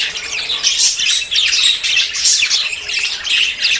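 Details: Budgerigars during courtship before breeding: loud grating squawks and twittered warbles in rapid irregular bursts, several birds calling over one another without break.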